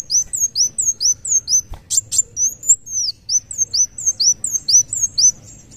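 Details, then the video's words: Sunbird known locally as kolibri wulung, singing energetically: steady stream of high, piercing, downward-curving whistles, about two a second, with a brief clatter of knocks partway through. "kolibri wulung muncang daun gacor"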